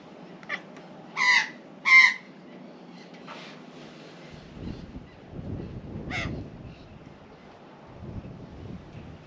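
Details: Female Australian magpie, flown up from her nest in a hoop pine onto a balcony rail, angrily objecting to a cat: two loud, harsh, strident squawks close together, then weaker rasping calls, over low rumble.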